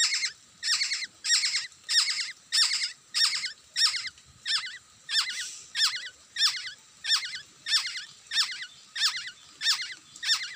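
A Black-hooded oriole gives harsh, squeaky, nasal notes, repeated steadily about every two-thirds of a second, roughly sixteen in ten seconds.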